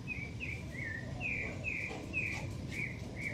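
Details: Fledgling shiny cowbird in a garden in Brazil giving a rapid series of thin, slurred whistled notes, about two to three per second, some dropping and some rising, over steady low background rumble.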